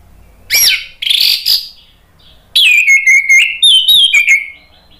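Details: Orange-headed thrush song used to provoke a bird that has stopped singing. Harsh, buzzy bursts lead into a long, fluid, whistled phrase of notes sliding downward, repeated in quick succession.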